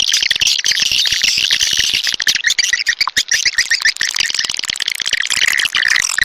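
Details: Swiftlet lure call, used to draw swiftlets into a swiftlet house, suited to Sulawesi: dense, continuous, overlapping high chirps and twittering from many birds with no pauses.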